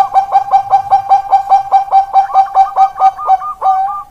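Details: Bangkok perkutut zebra dove, listed 16 October 2023, singing a steady fast run of soft rounded coo notes, about three per second, ending in a higher rolling trill. A quiet indoor feel.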